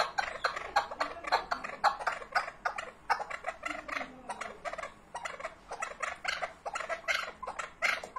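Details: Chukar partridge with quick, raspy chuck notes repeated in an irregular, steady stream of short bursts.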